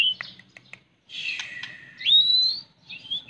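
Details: White-rumped shama song beginning with a few sharp clicks. A rough, buzzy passage follows, then a bright whistle sweeping upward, and finally a softer warble.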